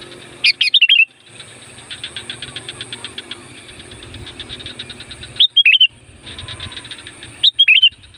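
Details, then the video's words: Sooty-headed bulbul (kutilang gunung) lure song for wild bulbuls: three brief bubbly warbled phrases spaced several seconds apart, with soft rhythmic ticking and low rumble between them. "SUARA BURUNG CUKUP AMPUH UNTUK PANGGILAN KUTILANG LIAR BIKIN YANG LIAR GELABAKAN"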